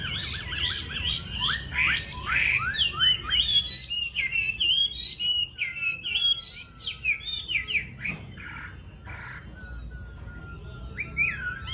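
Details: Captive yellow-billed Chinese hwamei, filmed live at home, pours out a rich, fast, varied song of looping whistles, trills and slurs, ending in long thin descending whistles; faint low hum behind.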